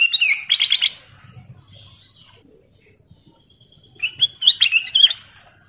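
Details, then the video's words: Sooty-headed bulbul, known locally as kutilang emas, singing a lure song to set off other birds: two bursts of rapid bubbling whistled notes separated by a quiet stretch with a thin faint whistle. "KICAU BURUNG KUTILANG EMAS GACOR SUARA KRISTAL JERNIH"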